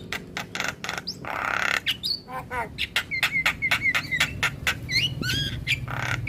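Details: Starling song used as a lure to draw other starlings into answering and to make quiet birds sing: harsh chattering bursts mixed with clear whistled notes, short rising and falling slurs, over a low background rumble.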